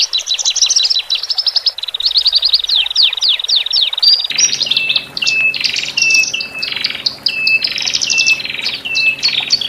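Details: Horsfield's bush lark song, male and female, to help birds recently separated adapt in the cage; rapid high trills and falling chirps, then alternating buzzy rasps and level whistles, with a faint low hum in the second half.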